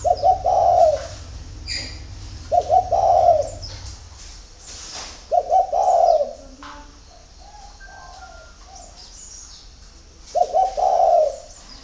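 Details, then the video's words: Early-morning spotted dove song, four soft hollow coo phrases spaced a few seconds apart, each a brief stutter followed by a longer hum; thin twittering of other birds and a low rumble in the first seconds. "CU GÁY SÁNG SỚM"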